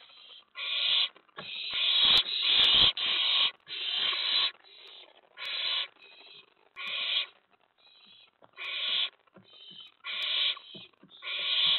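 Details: Harsh hissing screeches from an owlet inside its nest box on 19 May 2017 around 10:45–11 PM, excited by an owl arriving at the tray; about a dozen rasping bursts, irregularly spaced, some running together, with scattered clicks.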